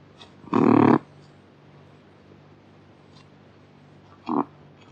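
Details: Kakapo giving one loud, rough squawk, then a long pause and a short, clipped second note, with a faint steady hum behind.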